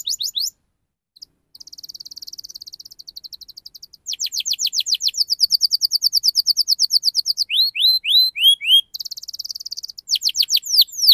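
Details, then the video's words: Canary delivering vigorous rolling 'ngerol' song meant to prompt young canaries to sing: buzzy trills alternate with long rapid runs of sharp swept notes and a short burst of rising whistles. "Kenari Gacor Speed Rapat Cuit Cuit NGEROL Tajam"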